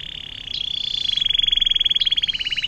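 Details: Atlantic canary in long fountain-water ('air mancuran') song, a tutor recording for magpie robins, leafbirds and shrikes; a continuous high rolling trill swelling in loudness and pulsing rapidly throughout.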